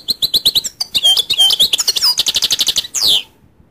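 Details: Goldfinch singing a fast, continuous twitter of high, bright chirps and liquid trills lasting about three seconds, ending in a longer downward-sliding note, then quiet.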